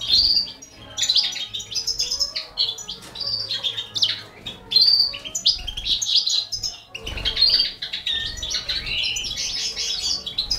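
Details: Four young canaries fed by a Balkan goldfinch; dense bursts of high twittering and squeaky chirps, rising and falling in loudness, with a pause midway before a fresh burst.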